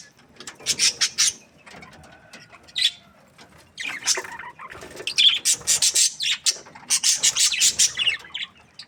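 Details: Happy pet budgie chirping in bursts of rapid, high, scratchy notes separated by short pauses, the chatter growing busier toward the end.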